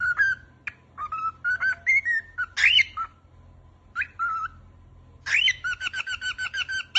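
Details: Happy pet cockatiel whistling and trying to say peekaboo: a busy series of short whistled notes, upslurs and rapid trills, some high and bright, broken by brief pauses, ending in quick repeated chirping phrases.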